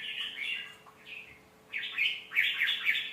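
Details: Red-whiskered bulbul song used to teach young birds: short warbled phrases that build into a louder, rapid chattering flourish near the end, over noticeable background hiss.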